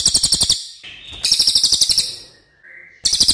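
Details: Training song of a racket-tailed treepie (cililin): short harsh bursts of quick buzzy pulses, a thin steady whistle-like tone between them, then the rattle restarts at the end.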